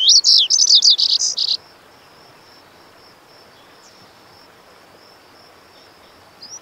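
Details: Lazuli bunting, a bird of semi-open western North American country, gives a fast, high, tumbling song of chirped notes for about one and a half seconds, then a long thin steady whine and quiet.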